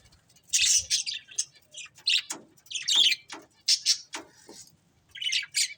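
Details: Budgerigars of a breeding pair giving rapid irregular bursts of harsh, bright chirps and chatter, sometimes overlapping, with brief pauses between phrases.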